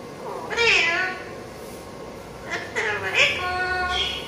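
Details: Pet parrot, apparently a ringneck, talking: two bursts of nasal, harmonic-rich mimicked words with sweeping pitch, one near the start and another after a pause, over quiet room background.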